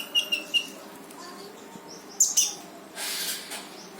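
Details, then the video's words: Konin (brown-throated sunbird) in gacor full tembakan song, meant to trigger a silent konin: three thin, pure, high chirps, two bright notes near the middle, then a broad hissing rush. "KONIN GACOR FULL TEMBAKAN || UNTUK MANCING KONIN MALES BUNYI LANGSUNG IKUT BUNYI"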